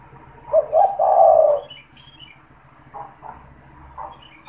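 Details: Caged spotted dove, a persistent caller kept to lure and stimulate wild doves, giving one loud phrase: two short clipped notes then a long, low, rolling coo. Fainter, broken cooing follows.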